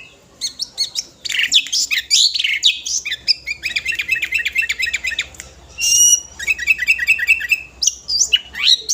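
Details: Five-year-old sooty-headed bulbul giving a full, varied song to call other birds: rich mix of harsh squawks, rapid trills, bubbling chattering runs and sharp whistled notes, almost continuous.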